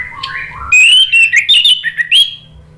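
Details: Orange-headed thrush singing loud varied whistles and slurred warbling notes after a softer lower opening phrase; meant to stimulate reluctant birds to sing.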